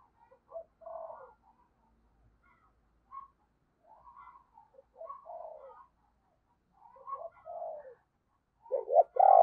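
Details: Spotted dove decoy bird in the morning, calling and cooing to lure wild doves: a series of soft, hollow coo phrases in short bursts separated by pauses, ending with a louder, fuller coo; quiet indoor background.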